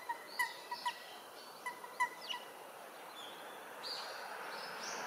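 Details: Great crested grebe on the Nomi River, Ōta, Tokyo, 21 March 2023, giving short, clipped nasal notes, singly and in quick pairs, with a few thin higher chirps over a steady background hiss.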